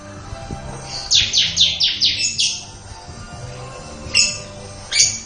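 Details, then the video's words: Bar-winged prinia singing in the 'ngebren' style: a fast burst of about seven buzzy, high, downward-slurred notes, then two isolated sharp notes after a pause, over a low steady background hum. "Burung Ciblek Ngebren"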